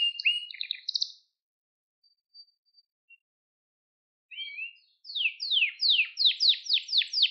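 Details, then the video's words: Canary song offered for training young birds: two bursts of rapid chirped tours between 2 and 6k, separated by about three seconds of near silence, the second a fast run of descending sweeps repeated about four per second. "Kuşunuzun Eğitimi İçin Orjinal Kanarya Sesi 2021 Kanarya Kızıştırma Kanarya Ötüşü"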